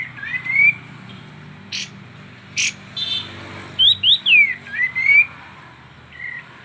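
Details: Sooty-headed bulbul (kapas tembak) singing lively, used to lure silent birds into song: short clear whistled notes sliding upward, then a quick cluster of looping, bouncing whistles, with a few sharp clicks and low background hum.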